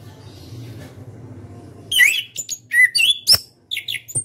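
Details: Caged orange-headed thrush, national contest winner, bursts into ngeplong song after a low hum: fast, bright whistles rising and falling, thin high notes and crisp clicks in a dense two-second run.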